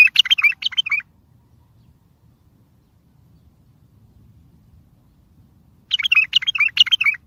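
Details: Lure song of a bulbul meant to get other bulbuls answering from afar for trapping: a short phrase of fluty, slurred notes opens, silence follows for several seconds, then a fuller run of quick warbles.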